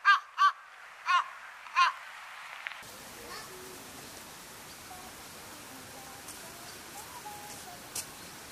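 Large-billed crow giving four hoarse, harmonic caws in about two seconds, then quiet outdoor hiss with no further calls.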